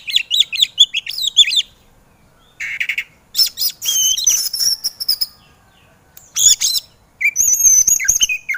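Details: White-rumped shama, used as training song for lazy kacer birds: quick chattering whistled notes, a short buzzy burst, then long harsh rasping phrases and high trills separated by quiet gaps.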